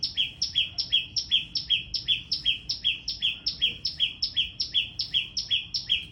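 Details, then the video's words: Small bird calling very loudly: a rapid, steady series of sharp two-part notes, a high note dropping to a lower one, repeated about two to three times a second throughout, over faint low background hum. "Make a loud noise🐦ส่องนกน้อย"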